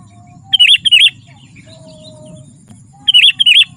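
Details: Sooty-headed bulbul, used for calling wild birds and song training, delivering two short bursts of paired rolling, warbled notes about two and a half seconds apart, with a soft steady hum beneath.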